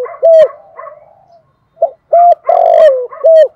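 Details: Dove decoy call: a short low coo trailing into soft murmuring, then a second phrase of brief notes, one long sliding coo dropping in pitch, and a final short coo.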